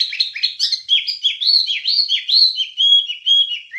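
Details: ['Wambie song played as master audio for training songbirds: an unbroken run of quick, looping whistled notes, each swooping up and down, delivered about twice per second.']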